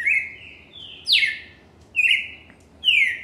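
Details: Cardinal singing loud, clear whistles: drawn-out notes alternating with sharp downslurred phrases, roughly one phrase each second.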